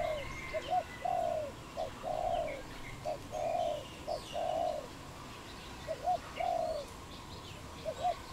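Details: Wild dove from Cambodia, recorded 23.04.2020, cooing steadily: short paired notes leading into a longer warbled coo, the pattern repeated several times against quiet rural background with scattered faint bird chirps.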